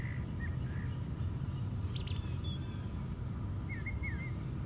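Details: A brown thrasher sings from the top of a white pine: soft short whistles, a brief sharp burst of high notes, then a pair of quick slurred phrases after a pause, over low continuous rumble.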